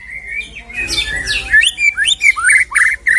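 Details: White-rumped shama, a fighter-type bird whose song is played to provoke another shama into singing; varied whistled and buzzy phrases around mid pitch, sliding notes and rapid chirps, indoors.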